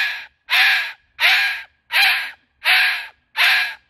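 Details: Pet Moluccan cockatoo on a summer park visit, joyfully vocalizing: six harsh, raspy screeches, each about half a second long, repeated steadily roughly every 0.7 seconds with short silences between.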